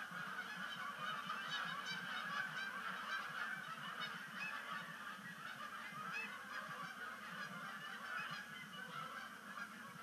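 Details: A flock of Canada geese coming in at sunset to Sapsucker Woods Pond for the season's first splashdown, October 2019; fast, repeated honks, about two a second, loudest early on, then a steady honking chorus.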